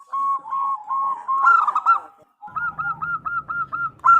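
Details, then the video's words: Zebra dove female calling for the male produces clear, evenly spaced hooked coos, a louder jumbled burst mid-way, a brief silence, then a tidy run of about eight repeated notes. "Suara Perkutut Betina Memanggil Jantan"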